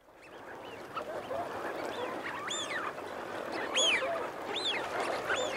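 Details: Eurasian wigeon, males and females, calling from a flock: repeated whistled notes that rise and fall in arches, about six across the stretch, over a dense bed of lower murmuring and growling.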